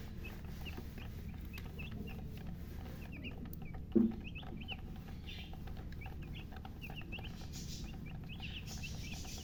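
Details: Newly hatched chickens chirping: many short, high peeps repeated quickly and steadily throughout, faint over a constant low hum, with one louder low thump near the middle.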